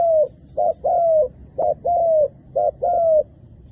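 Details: Calling decoy dove luring wild doves, male and female, to land on the ground. Clear low coos: a short clipped note followed by a drawn-out slightly descending note, repeated three times in close succession.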